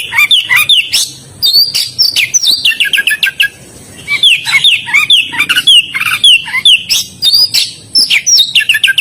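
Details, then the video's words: Oriental magpie-robin singing energetically: a rapid, varied stream of sharp whistled notes, chirps and downward slurs, mostly high-pitched, in dense bursts with a short pause near the fourth second. "BURUNG KACER GACOR DALAM BERAKSI"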